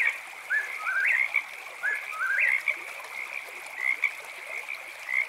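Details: At night by a campfire and running creek, an Eastern Whip-poor-will repeats its rising three-part whistle about once every second or two, over a steady, shrill chorus of frogs.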